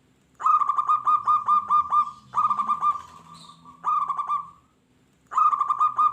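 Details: Zebra doves singing, a local bird used to stir wild doves into answering aggressively: several overlapping bursts of quick, clipped cooing notes, some bouts trailing into a drawn-out tone, over a low rumbling background.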